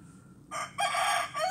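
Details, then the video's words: Rooster crow in rough, broken segments: a short burst, a brief gap, then a sustained raspy section, and a final rising note starts as the clip ends. "Rooster crowing / Gallo cantando"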